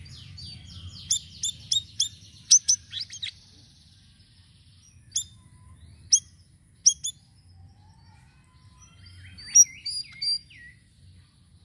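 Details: Sirisiri bird singing with varied phrases, kept to lure birds: a high buzzy trill, then scattered sharp, piercing chirps in irregular bursts with pauses, and short twittered notes near the end.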